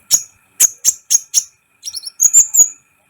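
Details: Sunbird (kolibri ninja) singing vigorously as a tutor to rouse other birds: five sharp, high chirps spaced about a quarter second apart, then a quick jumbled twitter and a drawn-out thin whistle.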